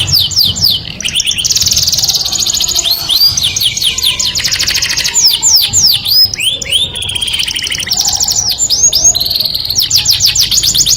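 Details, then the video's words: Canary delivering its melodious courtship song: extended high rolling trills, series of looping whistled swoops repeated in clusters, and short chattering passages, sung almost without pause. "o som melodioso de um canário atrai o sexo oposto"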